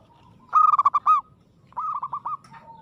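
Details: Local zebra dove in aggressive song: a loud stuttering coo phrase, then a second, softer phrase of rolling notes shortly after.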